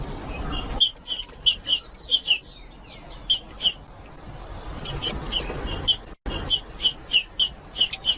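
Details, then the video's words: Green-winged saltator singing to warm up other birds and train young ones: strings of short, bright, evenly spaced notes in quick runs broken by brief gaps, over a constant faint high-pitched hiss. "ESQUENTAR TRINCA FERRO COM TRINCA FERRO CANTANDO"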